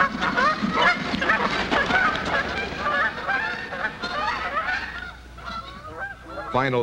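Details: Canada geese, shown on Missouri wintering grounds, honk loudly after an aggressive male wards off a competitor and courts his mate: a dense, overlapping chorus of nasal, two-note honks, about two per second, ending with a louder close honk.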